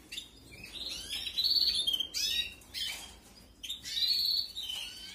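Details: Hungry canary chicks begging during feeding in a 2021 aviary breeding: several quick bursts of strident, scratchy, high-pitched chirping, the loudest near the start and end.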